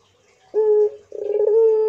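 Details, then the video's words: Short clear note from a Barbary dove, a brief pause, then a quivering pulsed roll that smooths into a steady drawn-out tone, typical of the pelung cooing style. "MANGGUNG PUTER INI GACOR PLONG I PUTER PELUNG GACOR DOR"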